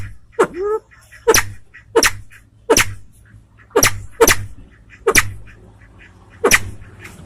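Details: White-tailed Salvadori's pheasant from Aceh gives a run of sharp cracking notes roughly every half second to second, the first followed by a short rising nasal tone, over a low background hum.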